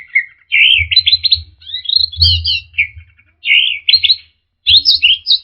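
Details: Orange-headed thrush lure song aimed at stressed birds that stopped singing: a fast, varied run of buzzy warbled phrases and sharp high chirps with short breaks, backed by a low humming noise.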